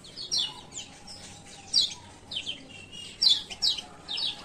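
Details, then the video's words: Male kecial kuning (Lemon-bellied White-eye) from Lombok calling ciak ciak, a lure for birds that have stopped singing. Irregular high, thin downslurred chirps, often in pairs, with a faint steady tone underneath. "Pancingan Kecial Kuning Malas Buka Paruh"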